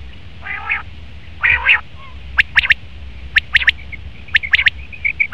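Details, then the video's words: Male common quail: two harsh, nasal buzzy notes open, then crisp triple-note bursts of short clipped calls repeated roughly once a second, with faint softer notes in between. "Best Common Quail Male sound/Nar batir ki awaz"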